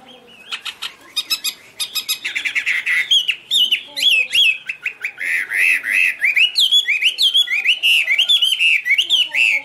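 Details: Chinese hwamei singing a long, lively sequence: sharp clicking notes at first, then a dense stream of loud whistled warbles and rising-falling slurs, rich and continuous.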